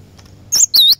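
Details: A single phrase of cinereous tit (glatik batu) lure song: one thin high note followed by a loud downward-curving whistle, heard against a faint low rumble.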